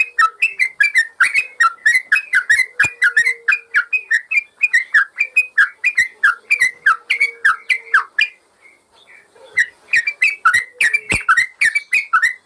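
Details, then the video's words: Master recording of yellow-vented bulbul song for training birds that no longer sing: a long run of rapid chirping whistled notes, briefly pausing near the middle before the bubbling phrases resume. "Masteran burung trucukan bikin burung bermental"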